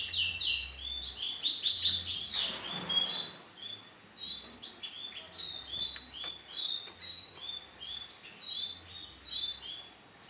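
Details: Female canary with bright orange plumage, heard as quick, high chirps and trilled bursts repeating several times a second. Brief pauses break the chatter, and a low background hum comes and goes.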